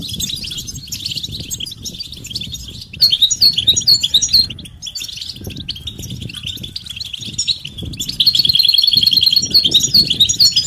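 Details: European goldfinch mating and readiness calls, betbeta and setseta styles, meant to stimulate males to sing: a quieter start, then loud tinkling twitter from about three seconds and a fast even trill near the end, with low hum beneath.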